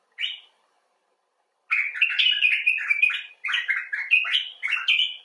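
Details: Common bulbul: one short opening chirp, a second's silence, then a lively stream of slurred, bubbling notes running on for over three seconds with one brief break.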